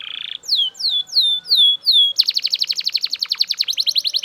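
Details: Loud Belgian canary song opening with a buzzy note, then five falling whistles about two per second, followed by a fast, dense rolling trill.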